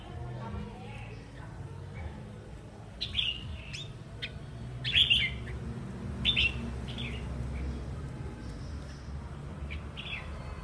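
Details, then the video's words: Wild-caught adult red-whiskered bulbul, stimulated to sing and described as a frequent singer; short bright chirping phrases come in a few bursts through the middle, over a steady low background rumble. "Kích chim chào mào bổi"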